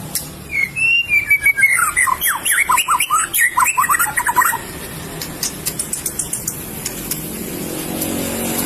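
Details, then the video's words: White-rumped shama of the Medan type, a contest songbird, delivering a fast, varied song. Quick sweeping whistles fall and rise in a rhythmic run, then give way to sparse sharp high chips and clicks over soft background hum. "Burung Murai Batu Medan Bersuara Emas"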